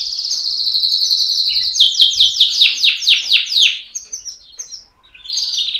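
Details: Canary singing: a loud high trilled phrase, then a run of about ten fast descending sweeps repeated roughly every quarter second, ending with short high notes and a buzzy trill.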